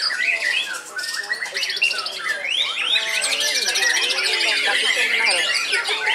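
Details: White-rumped shama, an aged caged bird still singing actively when hung: continuous, rich song mixing clear rising whistles, quick trills and harsh chatter, packed tightly with no breaks.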